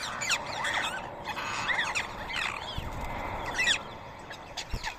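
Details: Rose-ringed parakeets feeding on soaked boiled rice at 7 AM on a Sunday morning, 31 March 2024, in Coimbatore, India. Several birds give repeated harsh, arching screeches over a steady background hum.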